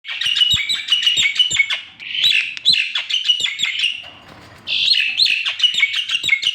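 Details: Javan pied starling singing: a dense run of loud, varied chirps, whistles and harsh notes packed closely together, breaking off briefly near the middle with a quiet gap before the lively phrases resume.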